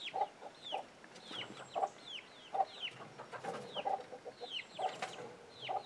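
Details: Hen and chicks off the grid: short low clucks at irregular intervals, each followed or overlapped by a high downward-sliding chick peep, with some scratchy rustling between them.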